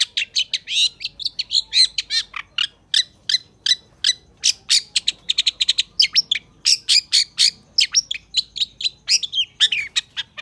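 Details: Long-tailed shrike singing a lively, full master song for training other shrikes: dense, rapid run of sharp chattering and scratchy notes with varied mimic-like phrases, nearly continuous over ten seconds.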